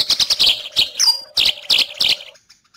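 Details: Eurasian tree sparrow chirps from a fighting-sparrow tutor recording for cucak hijau and magpie robins: short sharp high chirps in quick clusters, one thin rising whistle-like note, then silence, over a faint hum.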